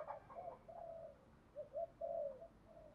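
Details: Spotted dove decoy bird of the 'thổ' voice type, cooing to goad rivals into fighting. Soft, low, muffled coos are heard in short groups over a steady background hiss, with some notes drawn out and others clipped.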